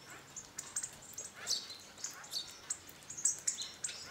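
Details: Hawfinch flock visiting a bird feeder on an old pig house in a back garden in northern Hungary; short, sharp, very high ticking calls at irregular intervals, some doubled, over a faint steady background hiss.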